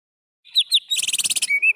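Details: Greater green leafbird song phrase from a training recording for cage birds: two high slurred whistles, then a fast buzzy trill of about a dozen notes, ending in a steady whistled note.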